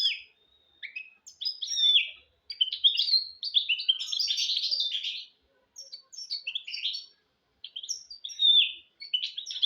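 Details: Goldfinch-canary mule singing a tutor song for goldfinches and canaries: quick high chirps and twitters building into a sustained buzzy rolling phrase, then more scattered whistled notes.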